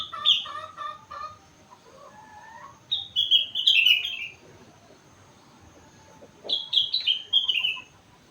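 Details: A four-month-old sooty-headed bulbul sings borrowed rengganis and cucak wilis material: a quick run of repeated chipping notes, a soft upward slur, then two bursts of cascading falling whistles separated by a quiet gap.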